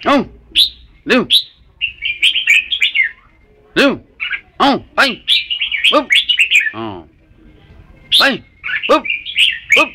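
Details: Red-whiskered bulbul warbled phrases, broken up by many loud, harsh, downward-swooping squawks and sharp notes in quick succession.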